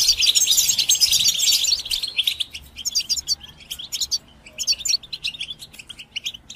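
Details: European goldfinch song used for listening and bird training: a dense, fast twittering burst of high chirps and trills, then shorter scattered chirps and twitters with brief pauses between them.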